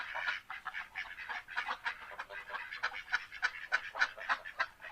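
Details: Duck calling in a rapid run of harsh, nasal quacks, roughly three or four per second, overlapping and uneven in loudness throughout, with no other clear sounds.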